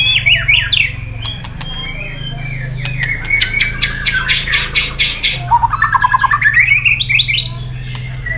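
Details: White-rumped shama fighting song, used to stimulate and train shamas: descending whistled phrases, then a fast run of repeated harsh notes that rises in pitch, over a steady low hum.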